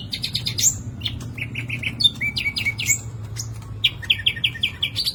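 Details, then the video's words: Green leafbird in full, lively song packed with mimicked common nightingale phrases: repeated clipped whistles in quick series, high ringing notes, level whistled runs of four to five notes and brisk chatters over a low hum. "CUCAK IJO JAMTROK GACOR FULL ISIAN TEMBAKAN SIKATAN LONDO"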